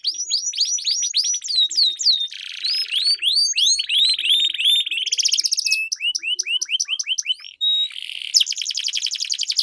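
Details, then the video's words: Canaries singing against each other, used to prompt silent birds and train competition birds; varied phrases of high sweeping notes, buzzy rolls and rapid trills, with faint soft lower notes in the background. "Duel Burung Kenari Suara Merdu Ngerol Panjang || Pancingan Ampuh Kenari Macet Gacor Ngerol Panjang"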